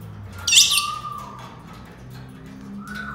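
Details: Senegal parrot, or yoyo parrot, gives one loud rasping squawk, followed by a soft falling whistle and later a gently rising whistled note, with a low hum underneath.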